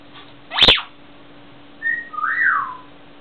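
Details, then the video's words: Peach parrot chatting through a window: a sharp knock, then a short flat whistle and a longer whistle that rises and falls, over a steady hiss and low hum. "Peach Parrot chatting through the window"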